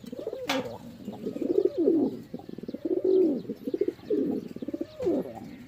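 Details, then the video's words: Pigeon cooing: low, hollow, throaty coos that rise and fall in rolling phrases, each lasting about a second and repeated almost continuously with brief pauses between. "Pigeon Sound"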